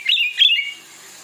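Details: White-rumped shama song meant to provoke a listener's shama into singing: two quick bright whistled phrases with slurred, warbling notes, then a fading quiet tail.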